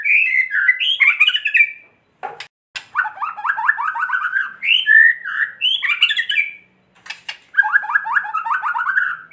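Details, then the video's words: White-rumped shama kretekan, played to make other shamas emotional and sing. Long varied song of rapid repeated chattering notes alternates with fluty whistled phrases, with a short pause midway. "Kretekan murai batu gacor AMPUH memancing murai batu agar EMOSI"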